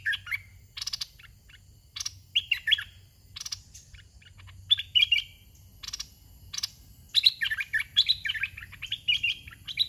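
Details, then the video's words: Red-whiskered bulbul, a caged decoy bird used to lure wild birds, singing short warbled phrases of quick rising and falling whistled notes in bursts every second or two, between loud broadband clicking and rattling bursts. "ต่อนกกรงดอกแตง (เจ้าช้าง) ตัวที่61. จัดลูกเสอป่าอ่อนๆ"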